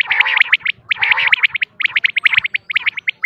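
Common quail female calling: quick bursts of sharp, high chirping notes, several per second, with faint low rumbling beneath.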